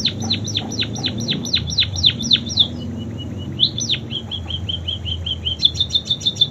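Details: Munia delivering song stuffed with canary-style phrases: rapid high descending slurred notes, a short pause with soft ticking notes, then more swept notes and a closing quick high chattering trill; low hum underneath.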